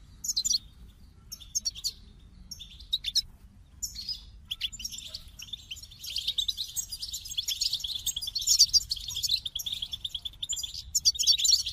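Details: Goldfinch starting with scattered high chirps, then building into a long, dense, bubbling twitter of buzzy and tinkling notes that runs to the end.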